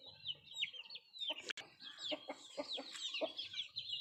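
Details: Feeding country chickens: rapid high chick cheeps throughout, with a short run of low clucks in the second half and a sharp click near the middle.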